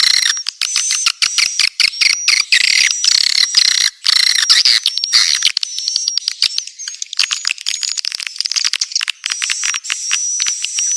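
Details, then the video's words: Clean swiftlet call for luring birds: continuous high, buzzy twittering with rapid rattling pulses and thin whistled notes running throughout, steady and unbroken for about eleven seconds. "suara walet•terbaik bersih tanpa nois"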